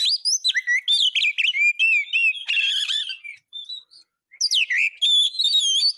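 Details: Kacer song as filler for training caged birds: fast swooping whistles and chirps, a rough buzzy passage, a short pause, then bright looping whistles resume.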